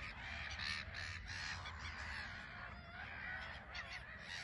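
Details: Black-headed gulls in a busy colony on a small island at RSPB Frampton Marsh, birds taking off and landing; faint, continuous overlapping chorus of harsh, nasal calls from many gulls at once, with a low background rumble.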